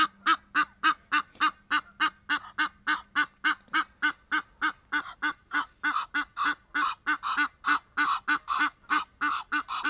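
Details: Egyptian geese outdoors while another bird lands in and wings are stretched in display; loud, fast harsh honking, over three notes a second, becoming denser and overlapping toward the end as if more birds join.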